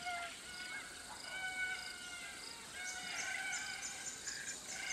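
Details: Red-tailed Black Cockatoos in woodland on the Atherton Tablelands, Queensland, tropical northern Australia, giving creaky, plaintive squawks with stacked harmonics, drawn-out and repeated irregularly, over a steady background of other birds including Pacific Koel, Scaly-breasted Lorikeet and Little Lorikeet.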